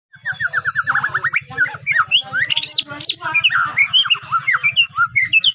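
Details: Five-month-old young white-rumped shama learning to sing: a fast, varied run of sweet whistles, starting with a rapid string of repeated slurred notes, then rising and falling twisted phrases, over a steady low pulsing hum.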